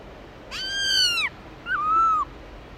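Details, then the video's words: Black-throated laughingthrush singing in the forest style: a long, full whistle that rises, holds and drops, followed by a shorter, softer wavering whistle that dips and then levels out. Light hiss sits behind both notes. "Khướu bạc má hót GIỌNG RỪNG CỰC HAY"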